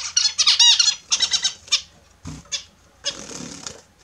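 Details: Captive Australian zebra finches bathing in the morning trade a fast volley of loud, nasal, trumpet-like beeps in the first two seconds. A dull thump and splashing sounds follow, then a rougher chatter toward the end.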